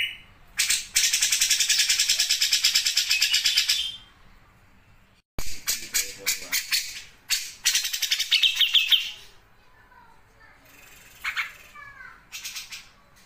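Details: Grey-cheeked bulbul singing in the sewing-machine rattle style called besetan mesin jahit: long, harsh, rapid rattles broken by pauses, then scattered sharp chips and brief whistled notes.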